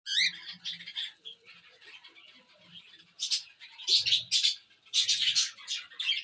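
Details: Several cockatiels chattering together: dense, harsh, buzzy screeches overlapping in bursts, loudest over the final three seconds, with a quieter raspy murmur in between.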